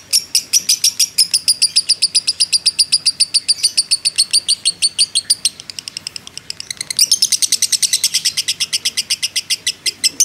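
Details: Long 'ngekek' chattering by a fighter lovebird, meant to stir other birds to answer: rapid high notes pour out in a dense trill, soften briefly near the middle, then return louder and faster.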